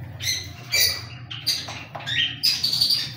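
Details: Cockatiel calls: a run of bright, harmonic chirps and screeches in quick succession, some sliding upward, over a low background hum.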